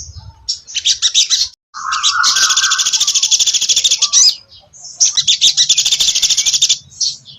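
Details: Spot-breasted laughingthrush singing: long bursts of rapid, dense, buzzy high chatter separated by short pauses, with one lower slurred whistle early on and a brief gap of silence.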